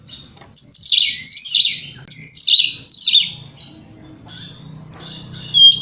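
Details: Lively Oriental magpie-robin singing in the morning to goad rivals into answering: four loud buzzy, twittering phrases in quick succession over three seconds, then a quieter pause and one thin high whistle at the end.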